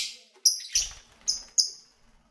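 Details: Lovebirds kept as pets, chirping during feeding and play: four quick, piercing high chirps with a harsh, buzzy edge, about every third of a second, over faint low knocking.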